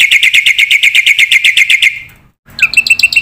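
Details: Black-winged myna in busy chattering song, a full training recording for young cage birds: a rapid even run of bright repeated notes, about eight a second, then a short pause and squeaky mixed notes.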